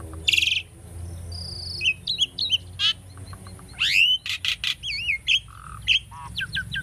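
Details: Caged Asian starling singing diligently for bird training, a dense medley of rasping bursts, clicks, sweeping whistles and wavering warbled notes delivered almost without pause over a faint hum.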